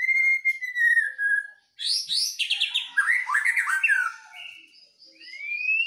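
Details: White-rumped shama singing duel, a Medan bird versus a wild-caught Nias bird. A long pure whistle is followed by a burst of rich, jumbled warbling notes, then rising whistles answering back.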